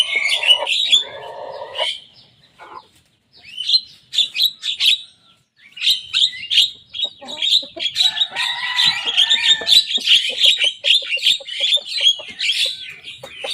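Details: Young Javan myna in vigorous song, mimicking the voices of rival birds: low, harsh rasps at first, broken bursts of chatter, then a long, dense run of quick, squeaky notes over a steady, lower whistle.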